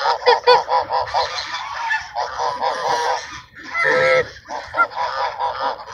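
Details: Fed ducks at Sunset Park on 10-10-17 give a busy chorus of quick nasal quacks, repeated rapidly and overlapping, with a louder drawn-out harsh call near the middle.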